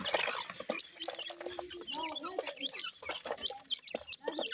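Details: Grey francolin (teetar) chicks feeding; many short, high peeping chirps scattered throughout, mixed with lower clucking and voice-like sounds and some rustling.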